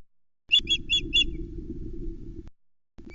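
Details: Hungry female osprey at a Loch Arkaig nest on 21 May 2020, calling from a nest cam as the male brings the first fish of the day. Four quick, high, piping chirps, then a steady low rumble of wind.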